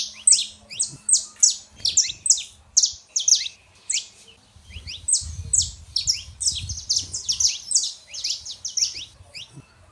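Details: Saffron finches, male and female, singing to stir a quiet canary: rapid bright high-pitched chirps in two dense runs separated by a short lull, with low rumbling handling noise in between.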